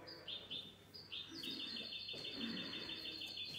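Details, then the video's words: Mixto goldfinch hybrid giving its cante limpio, clean song, on 19 March 2020: a few short separate notes, then a rapid, steady series of high ringing notes running over two seconds against faint background noise. "mixto de jilguero cante limpio"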